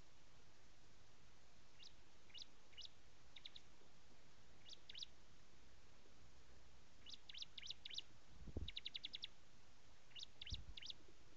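Bar-winged Prinia giving bright, high chirps in quick bursts of three to six notes, repeated every second or so; two low thumps near the end.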